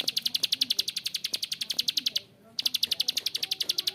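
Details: Rough ngebren calling of a bar-winged prinia: fast, evenly spaced high clicks, roughly four each second, halting briefly for a moment before resuming at the same pace.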